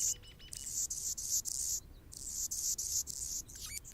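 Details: Anna's hummingbird singing on a branch in Golden Gate Park, San Francisco, California: a run of very high, scratchy, buzzing bursts separated by short gaps, with a few thin lower chirps near the start and end.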